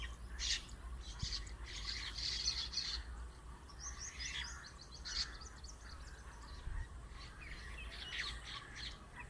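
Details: Birds chirping on a date tree: overlapping bursts of high twittering from several birds, busier at the start and fading to softer chirps, over constant low background rumble.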